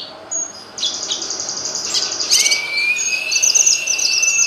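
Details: Grey-cheeked bulbul song, a tutor recording for teaching other songbirds: thin high chattering notes, then a long, smooth, slightly rising whistle held for about two seconds beneath continuing bright twittering.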